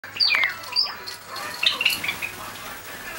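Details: Seven pet Java sparrows let out of their cage at 6 a.m. in June 2009, very lively in the morning; a few sharp, high chirps near the start and middle with short gaps of quiet room noise.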